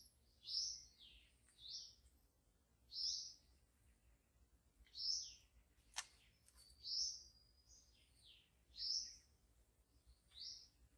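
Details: Wild white-rumped shama in forest repeating short high, sharply falling whistled notes about every one to one and a half seconds, with one sharp click midway and a quiet background.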